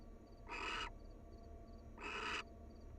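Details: Wild barn owl pair at their nest, pair bonding, cuddling and preening; two harsh, hissing screeches about a second and a half apart, each under half a second, over steady low background hum.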